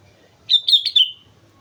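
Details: A brief, energetic sooty-headed bulbul phrase from Mount Slamet: three run-together whistled notes, bright and slurred, ending with a short downward trail.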